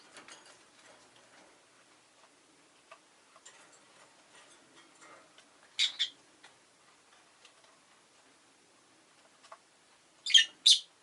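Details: Rosy-faced lovebird kept as a pet: light ticking and rustling at first, then one sharp doubled shriek midway and a louder paired burst of shrill chirps near the end.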